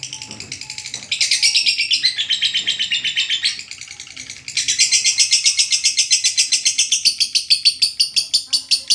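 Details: A lovebird's long ngekek, played to stir lazy lovebirds into song: bursts of fast, harsh chattering pulses, a short dip in loudness mid-way, then a sustained, brighter and quicker rattle.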